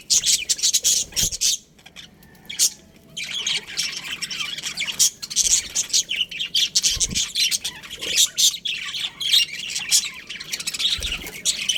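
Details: Budgies chirping in a colony, a busy high chorus of harsh squawks and twitters, dropping quieter for a moment near the start before resuming densely.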